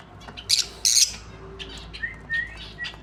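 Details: A pair of lovebirds calling: two loud shrill squeaky bursts early on, followed by softer short high chirps, over a faint low background hum.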